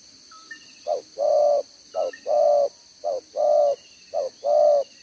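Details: Cooing spotted dove, a decoy bird with a handsome two-row collar, in the one-ending 'đồng gáy 1 hậu' style, 11/6/2023: four steady phrases, each a brief coo then a drawn-out mellow coo, with faint high chirps behind.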